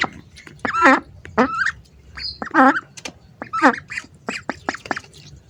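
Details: Loud, rasping quacks from hungry ducks at close range, given singly and in short doubled bursts with quiet gaps between.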